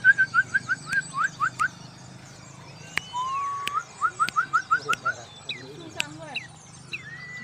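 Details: White-rumped shama showing off: quick series of short, sharp whistled notes, about a dozen in bursts, then a looping slurred whistle and a rising phrase, some sharp clicks and a faint low hum behind.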